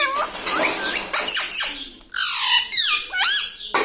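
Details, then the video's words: Squawky, hoarse parrot vocalisations from a bird said to speak papa and mummy; a noisy opening blur of sound gives way to several drawn-out, bending, rasping cries with short gaps between. "Papa Mummy Bolne Wala Tota - Talking Parrot - Me Tota Me Tota || batuni tota"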